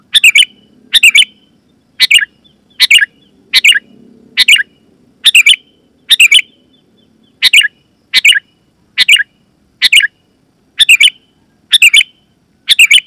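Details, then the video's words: Sooty-headed bulbul, a loud and clear lure for wild forest birds and home-kept bulbuls; a long run of brisk bubbly chirped phrases, about one every second, with a faint low murmur underneath. "Suara Burung KUTILANG GACOR,Super Ampuh Keras, Lantang dan Jernih, Burung Kutilang Lain Auto Gacor"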